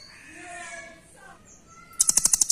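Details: Velvet-fronted nuthatch, doraemon type, recorded as a master song for tutoring birds: softer mixed warbling at first, then a loud, rapid, very high rattling trill of about seven sharp notes at the end.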